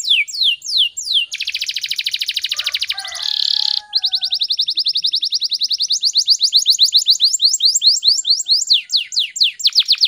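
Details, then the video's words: Vigorous canary song in fast, tight speed rapat style, a lure to set other canaries singing: a few sweeping notes, a dense buzzy trill and a harsh rasping burst, then a long even run of quick repeated strokes. "SUARA BURUNG KENARI GACOR SPEED RAPAT"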